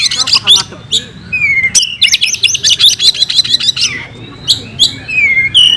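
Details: Kacer, the oriental magpie-robin, singing aggressively in fighting style with its filler phrases: whistled opening notes, a falling slur, then a dense run of piercing repeated chips, followed by more scattered whistles.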